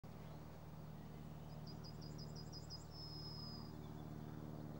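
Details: Yellowhammer singing from a tree branch in a forest before flying off: a quick run of about eight thin, high notes ending in one long drawn-out note, over a steady low rumble of traffic.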